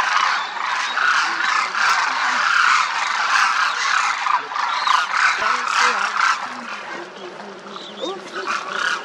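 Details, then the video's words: Large flock of demoiselle cranes crooning while flying in formation over a Rajasthan village sky in India; a dense, continuous wash of overlapping calls from many birds, with brief louder rolling notes standing out from the chorus. "Demoiselle Cranes croon, fly and feed in formation"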